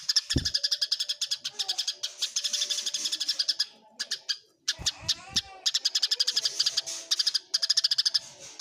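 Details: Fighting Eurasian tree sparrows, with continuous quick high chirping that pauses briefly near the middle, interrupted by a couple of dull thuds and a short sliding squeak.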